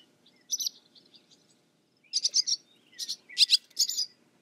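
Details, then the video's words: Short bursts of scratchy, buzzy twittering from a barn swallow, with three loud clusters after a soft opening note. "Barn SWALLOW BIRD Sound, Bird Song"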